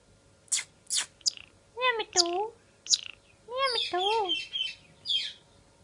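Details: Parrot enjoying time out of the cage, giving a mix of sharp chirps, wavering curved calls and harsh squawks in an irregular run, recorded indoors over a faint hum.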